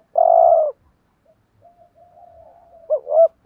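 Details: Spotted dove singing as a decoy for other doves: one long steady purring coo, faint soft murmur, then a quick two-note rising coo at the end.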